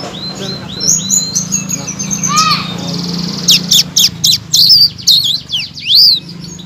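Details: Blue-crowned laughingthrush used as master song to stir stalled songbirds into singing: high whistled slurs and sharp chirps, then rapid clipped notes and rising-falling whistles, with a steady low hum underneath.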